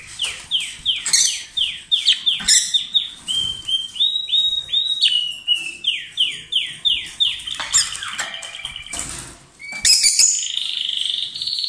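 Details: Lovebird pair, kissing and swapping food, sings loudly: a fast series of rising and falling shrill chirps repeated roughly every half second, then a buzzy harsh note at the end.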